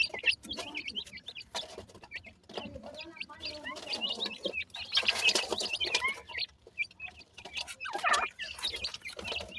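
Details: Dakhni teetar (francolin) chicks playing; short high chirps and upturned peeps in irregular bursts, with clicks, rustling and scratchy handling noise around them.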